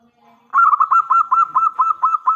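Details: Local Zebra Dove singing loudly as a lure to prompt other doves to answer; a long unbroken series of evenly spaced bubbling coo notes at a steady pitch.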